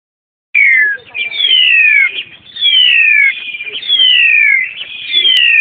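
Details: Caged Black-collared starling met on a mountain hike, recorded 14 March 2010, a bird said to mimic other species: loud, clear whistles sliding steeply downward, given in a steady series about once a second, with soft chattering notes between.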